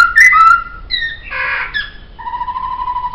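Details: Laughingthrush song used for songbird training, with bright whistled slurs, a short harsh burst in the middle, then a long level whistled note.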